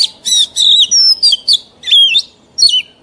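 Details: Oriental magpie-robin, a mature wild-caught bird, whose song is used to train young birds to sing: short bursts of high, varied whistles and sweeping slurred notes separated by brief pauses.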